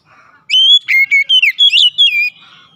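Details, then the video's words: Oriental magpie-robin (kacer) song intended to make a quiet bird sing: one loud phrase of clear whistles stepping up and down in pitch, in a quiet setting. "terapi Kacer malas bunyi sudah pasti langsung gacor"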